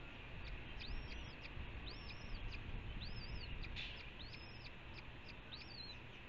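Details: Red-shouldered hawk calling near Ithaca, New York: a faint series of high, arched, slurred calls repeated about once a second over a steady low rumble of traffic.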